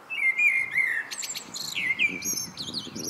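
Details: Common blackbird singing in the evening: low, mellow fluted warbles slide and dip, then break into a burst of thin, high squeaky twittering. The phrase carries cleanly over a quiet background.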